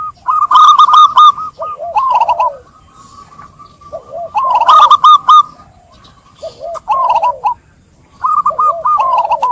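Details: Zebra dove song played as a lure to prompt a reluctant dove to sing. Three bursts of stuttering, bubbling coos, each about two seconds long, separated by pauses of roughly two seconds.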